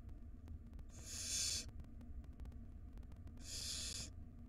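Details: Wild barn owl nestlings in a monitored nest box, calling while their mother feeds them and one swallows a huge rodent; two harsh, hissing screeches of about half a second each, with a low hum and clicking in the background.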